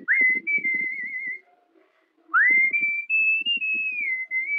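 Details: Cockatiel taught to copy the Wind of Change whistle by Scorpions. Two whistled phrases, each opening with a quick upward glide into sustained notes that step slightly higher and waver, separated by a short pause. Soft tapping and rustling underneath.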